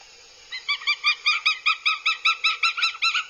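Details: At a Scottish nest in Abernethy, July 2022, aggressive Northern goshawk chicks give about fourteen strident, evenly spaced yelping notes in quick succession, growing slightly louder and shriller toward the end.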